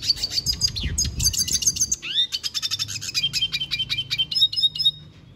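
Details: Red siskin singing at length: a dense, fast twittering run of high, bright chirps and trills, with rapid repeated notes, short rising slurs and buzzy bursts that continue almost without pause, over a faint low background rumble.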